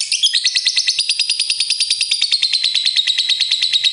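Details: Pair of pet lovebirds chirping while playing and showing affection: a fast continuous run of rapid high notes, about three per second tightly repeated, sliding slightly downward over four seconds.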